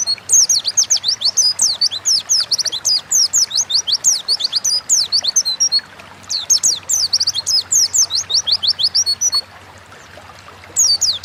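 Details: Oriental white-eye in full 'ngalas' song for bird training, long bursts of fast high twittering downslurs broken by brief pauses, the singing restarting near the end.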